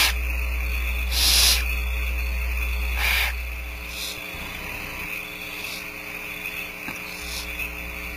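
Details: Barn owl owlets, about four, at Starr Ranch nest while the female feeds them, giving harsh, hissing begging screeches in short bursts every second or two over a steady electrical hum and faint high whine.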